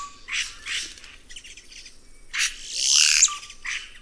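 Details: Red-rumped cacique song: loud broadband squawking notes, a rising whistle sweeping upward, and a brief flat whistle near the end, with faint steady background hiss.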